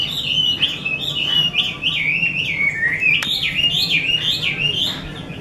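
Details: An artisan's caged Chinese hwamei, 'mơ' variety, repeating bright whistled notes that rise then fall in a rolling wave-like pattern, several per second, with one sharp click midway.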